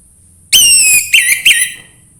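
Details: Orange-headed thrush song used to prompt another bird into singing: one long, slightly falling whistle, then two shorter, upswept whistled notes.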